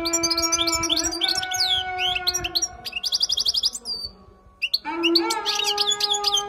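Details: Song of a wild European goldfinch, used for teaching: quick tinkling twitters, then a rapid buzzy trill of repeated notes, a brief pause, and renewed twittering. A steady droning hum sits in the background.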